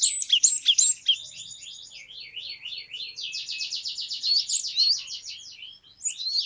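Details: Cinereous tit in the long 'ngeplong wucit wucit' singing style, used to prompt other birds to sing: a continuous run of high, rapidly repeated whistled notes, some rising sharply, with a brief pause near the end.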